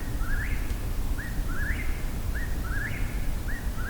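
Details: Eastern whip-poor-will singing at night on a hike, near a recorder placed for wood thrush: repeated three-part whistled phrases, rising and falling, about one each second, fairly distant over steady low rumbling background noise.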